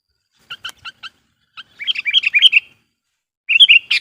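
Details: Sooty-headed bulbul used as a lure bird to call wild bulbuls: four quick doubled chirps, then a lively rapid warbled phrase, and another bright burst starting at the end.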